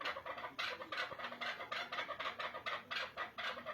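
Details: Chukar partridge giving quick repeated chuck notes, rasping and even, roughly three per second across the whole stretch, in a quiet enclosed setting.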